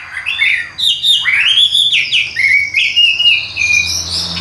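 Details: Tame caged Chinese hwamei from Vietnam, carried by hand as it sings, gives bright swooping whistles that rise and then level into long, steady held notes.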